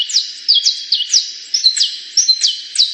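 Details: Canary singing a bright, continuous high-pitched song of rapid downward-sweeping whistled notes, roughly three per second, over a steady trilling, buzzy undertone.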